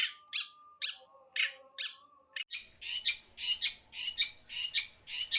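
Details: Long-tailed shrike (cendet): harsh, scratchy squawking notes repeated about every half second, widely spaced at first and then quicker and louder, over a quiet background.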